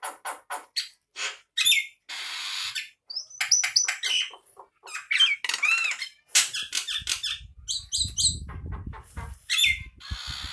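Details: Male Nias hill myna song for training other birds: rapid series of sharp whistles, slurred rising notes and harsh squawks, with a low rumbling noise in the background late on.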